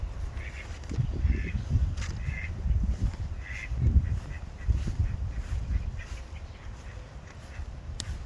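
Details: Pond ducks giving clear, harsh quacks in short bursts, several calls within each second, over a deep background rumble.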